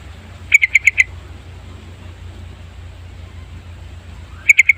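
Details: Yellow-vented bulbul song played as a lure for trapping; five crisp, rapid chirps at the start, a long gap of about three and a half seconds, then another fast run of sharp notes, with a faint low hum beneath.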